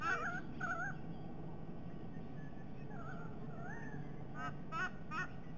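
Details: Two White-bellied sea eagles at breakfast, filmed by nest camera at Sydney Olympic Park, Australia, 22 October 2021. Short wavering whistled yelps open the recording, softer gliding notes follow midway, then a quick burst of three sharper yelps near the end, over constant low hum.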